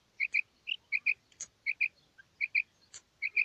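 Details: A female common quail's call: short doubled chirps in quick pairs, evenly spaced, plus a few faint single clicks in an otherwise quiet recording.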